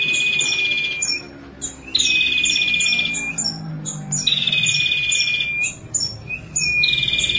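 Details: Song of a female ashy prinia: repeated bursts of rapid, reedy buzzing trill, each over a steady whistled tone with sharp high clicks, gaps of under a second between them.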